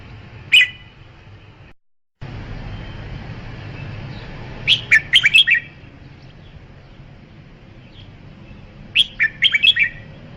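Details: Red-whiskered bulbul: one short whistled note, then two quick bursts of four or five bright, bubbly chirped notes several seconds apart, over a steady low background hum with a brief silent break early on.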